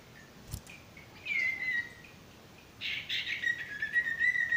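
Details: Male sirtu singing as a training model for stressed or silent birds: a drawn-out high whistle, then a rough chirping burst running into wavering sustained whistles, over background noise.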